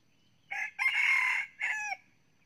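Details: Decoy red junglefowl rooster, almost nine months old, red plumage, forest-trained, a frequent crower that crows much in the morning: a short opening note, a brief gap, a long sustained middle note, then a shorter closing note, all against a quiet background.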